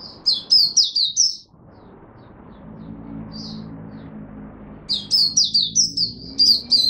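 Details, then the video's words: Oriental white-eye singing in Singapore in humid, warm, rainy, overcast weather: rapid runs of high, sweet, twittering whistled notes, about six per burst, pausing between bursts while a low hum continues. "Singapore Mata Puteh Buka Sing"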